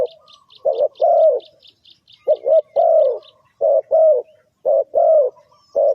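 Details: Trapping lure of a spotted dove: low mellow coos in short and long pairs about once a second, with a rapid series of high chirps from another bird during the first half.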